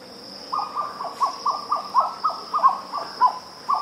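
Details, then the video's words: Grey plantain-eater calling cu-mcu, recorded alongside blue-spotted wood dove: a steady run of about a dozen short, hollow, mid-pitched notes, roughly two per second, each with a slight downward slur, over a constant high insect-like hum. "Grey Plantain-Eater. Calls Cu-Mcu"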